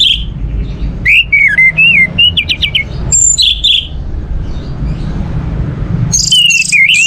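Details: Song of an orange-headed thrush used to prompt other birds to sing: varied whistles, buzzy trills and high squeaky notes in short phrases, a quieter gap with low hum, then a wavering whistled phrase.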